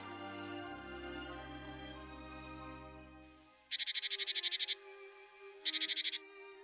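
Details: Fieldfare in winter in central Russia, moving from forest closer to people to feed on berries, gives two bursts of harsh, rapid chattering notes after a few seconds of soft music.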